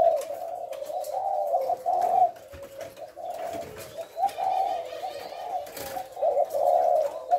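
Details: Spotted dove, thổ lối call style, 18 September: repeated low cooing phrases, each a short throaty swell, separated by softer murmurs, with faint high whistled notes of other birds.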